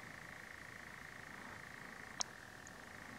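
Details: A European nightjar churrs in a steady, unbroken mechanical trill near Almunge, Sweden, with one sharp click cutting in briefly near the end.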